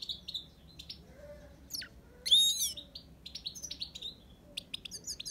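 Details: Himalayan goldfinch giving scattered high twittering notes with pauses, broken midway by one loud, harsh buzzy burst before the light chirps resume.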